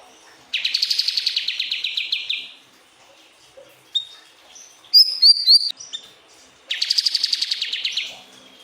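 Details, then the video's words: Pied triller song used to tutor other songbirds: two long, buzzy, rapidly pulsed trills, each lasting about two seconds, with a quick burst of sharp, high slurred notes and a few isolated chirps between them. "Masteran burung siri-siri"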